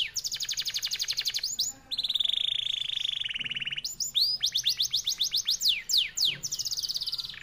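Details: Canary of the F1YS type singing a long, fast, tightly packed clear song: rapid trills of high notes, a sustained buzzy rolling passage near the middle, then swooping downslurred whistles repeated quickly.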